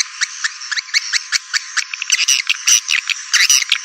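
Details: Edible-nest swiftlet lure call known as 'walet naga', played to attract swiftlets: dense trains of sharp, high chirps and rattling clicks in quick bursts, with a strong electronic, filtered quality.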